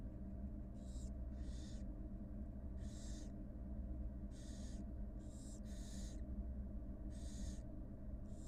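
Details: Live camera at a wild barn owl nest as the mother feeds her two newly hatched young; a rapid series of about eight short, harsh hissing screeches in under nine seconds, over a loud low rumbling hum.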